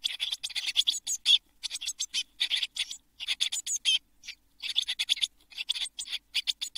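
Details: Brood of seven Eurasian blue tit nestlings in a nest box days before fledging in June 2022: near-continuous chorus of harsh, buzzy chirps in overlapping runs with brief gaps.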